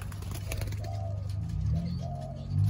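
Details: Spotted doves in Thailand, some of them young, on 19 September 2023, giving soft, low, hollow coos, two or three short phrases in quick succession, over a heavy low rumble of background noise.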